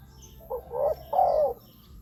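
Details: Spotted dove calling to lure wild doves for ground, branch or trap-cage decoys; a single phrase of a clipped note followed by two mellow, hollow coos, the last long and sliding down.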